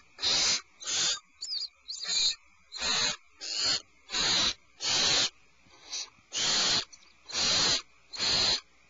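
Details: Alarmed owlets in a nest cavity, one having fed on a rabbit portion, give harsh hissing screeches, about twelve in nine seconds, unevenly spaced with short gaps between bursts.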